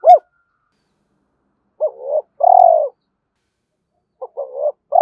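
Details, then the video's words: Spotted dove giving low mellow coos meant to stir up decoy doves: a short coo, a pause, a broken two-part note and a longer arched coo, then another broken phrase and a final coo. "Tiếng cu gáy dùng kích bổi mỗi ngày"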